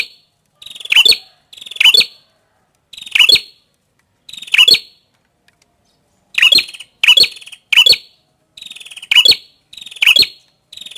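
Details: Prinia, prenjak kepala merah, repeats short phrases: a faint buzzy stutter, then a loud, sharp, squeaky note, sometimes in quick pairs, with brief silent pauses between groups.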